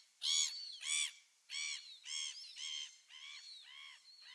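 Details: Gulls on 27 December 2017 calling in a steady series of eight nasal, richly harmonic notes, the first two loudest, the rest gradually fading, with faint high whistles behind.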